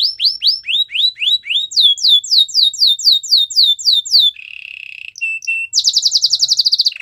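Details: White canary singing training song, with repeated upslurred whistles, a long run of falling sweeps, a low buzz, and a high fast trill to close.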